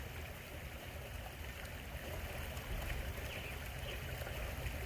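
Steady rushing of flowing water with low rumbling noise, and no animal calls stand out.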